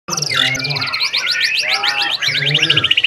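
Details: Caged White-rumped Shama delivering tembakan, rapid-fire song bursts: a fast run of sharp, repeated high chirps and trills, clipped and evenly spaced, over a low hum and faint voices in the background.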